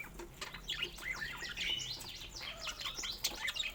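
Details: Pet budgerigars warbling in a fast, varied chatter of rising and falling chirps, with light rustling below.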